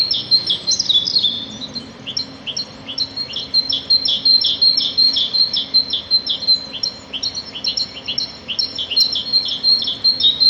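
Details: Small birds in nature giving a steady, rhythmic stream of clipped high chirps, nearly three per second, evenly paced and persistent for over ten seconds.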